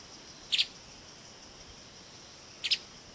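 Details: Streaked spiderhunter in Kaeng Krachan National Park: two short, high, sharp double chips about two seconds apart, over a steady faint high hiss of background insects.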